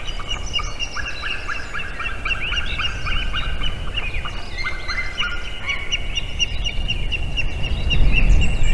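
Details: Wild white-tailed eagle pair at their nest in Durbe, Latvia, calling together at about 6:09 am on 12 April 2021 as the female returns during failing incubation; rapid series of yelping, chattering notes, about three per second, over a steady low rumble.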